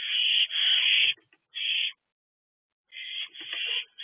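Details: Nest-box owls, night of 23 April 2024, early evening hours. A long, unbroken harsh hiss lasts over a second and is followed by a shorter one. After a pause, two more wavering rasps follow.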